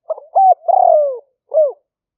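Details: Spotted dove cooing for trapping lures, lang fueang style, from rainy-season rice fields of Roi Et, Thailand, phone-recorded live: a few short coos, a long rolling coo sliding downward, then a final brief coo after a pause.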